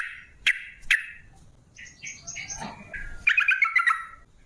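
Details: Yellow-vented bulbul in lively song, used as a lure to get other bulbuls singing: a few sharp chirps, then bubbly stepped phrases and a fast ringing trill near the end, over faint low background rumble.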